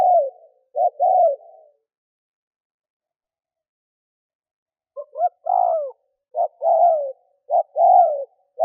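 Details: A lure spotted dove coos to draw in wild birds. Two brief phrases of low, mellow coos come first, then a long silence, then a longer, fuller run of rolling, slightly downslurred notes.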